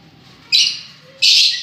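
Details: Two loud, harsh, high-pitched shrieks from lovebirds, each about half a second long, the second following shortly after the first.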